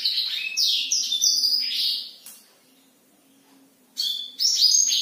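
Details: Night-time song of a black-throated canary in full voice. Quick high twittering phrases of rising and falling whistles break off for over a second of silence, then resume just as fast.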